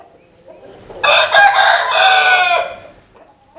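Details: Rooster from a collection of crowing chickens in Vietnam's rural Mekong region, giving a single strong, bright crow of about one and a half seconds, harsh and richly layered, ending abruptly, with faint clucks before and after.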